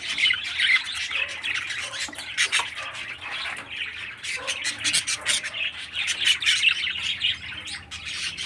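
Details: A captive 13-day-old baby parakeet produces rapid, raspy squawks, about two or three a second, harsh and hissing, with a faint low hum underneath.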